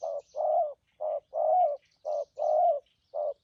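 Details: Trapping spotted dove giving thổ, thúc gù and phóng rước cooing: low hollow coos alternating short and long, roughly one pair per second, steady and loud, with soft high twittering of other birds behind.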